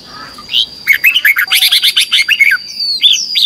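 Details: Red-whiskered bulbul in morning competitive 'ché' singing, for training birds to sing: a dense, continuous run of quick bright chirps and warbled notes lasting about two seconds, then a few rising whistles.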